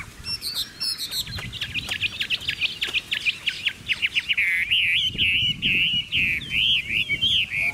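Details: Chinese hwamei in full song: a fast stream of short, clipped whistled notes gives way to longer, wavering, rolling whistles that rise and fall in a smooth repeated pattern toward the end.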